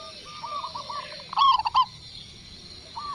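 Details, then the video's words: Local zebra dove in Indonesia answering one lure call: soft level coos lead into a single loud, rapid, stuttering coo burst, then quiet before a faint coo at the end. "Perkutut Lokal Gacor Suara Besar | Cukup Hanya Sekali Pancing Kutut Langsung Nyaut"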